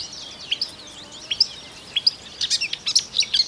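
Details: Marsh warbler from Russia singing a rapid, unbroken stream of varied high chirps, short trills and sharp clicking notes, with louder accented notes scattered throughout; no other sounds stand out.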